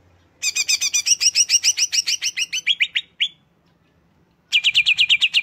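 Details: Greater green leafbird song: a quick string of bright, ringing chirps that slows into slurred whistled notes. About a second of silence follows before a new burst of rapid chirping begins.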